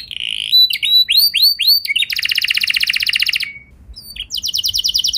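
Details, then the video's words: Canary song used as a provoking lure for other canaries: a sustained high note, several curved chirps, then a dense fast buzzy roll, a brief hush, and another rapid trill. "Pancingan Kenari Biar Gacor Ngeroll Panjang! Dijamin Kenari Lain Pasti Langsung Nyaut Emosi Ngeroll"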